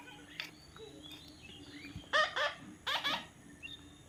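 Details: Young parrot uttering two pairs of rasping, harmonic squawks close together, after faint scattered chirps over a steady background hum.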